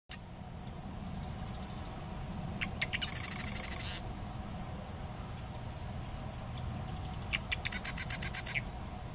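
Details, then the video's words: Marsh Wren at Sacramento NWR giving two bursts of song, each a few ticking notes run into a rapid, dry, buzzy rattle, over a steady low rumble. "Marsh Wren singing"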